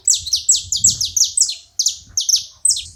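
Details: Loud, crisp series of high chips from saffron finches at a feeding spot, each note sweeping steeply downward, delivered in quick pairs and singles across three seconds with a brief gap near the middle.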